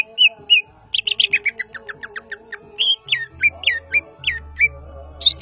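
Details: Greater green leafbird, Javan cucak ijo, in full song: two soft whistles, then a fast cascade of sharp descending chips, followed by looping, rising whistled phrases repeated several times over faint lower tones and hum.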